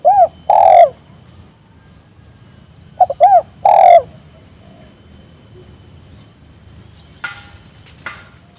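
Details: Repeated spotted dove call meant to bring companions into calling: two loud phrases of stacked short notes leading into a drawn-out coo, then quiet with a faint rustle and click near the end.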